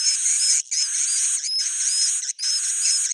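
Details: Four dense buzzing swiftlet bursts with tiny breaks between them, a high whistled tone curving through each; recorded in the old-style "jadul" manner.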